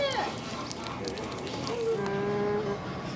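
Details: A Nēnē, or Hawaiian Goose, utters a brief rising note and then a long, steady, slightly falling nasal call lasting about a second, amid background murmur.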